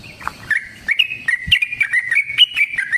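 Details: Yellow-vented bulbul delivering a long 'ropel' song used as a lure for other bulbuls; after a faint start, a flowing string of clear, slurred whistles rises and dips in quick succession, with a soft thump once.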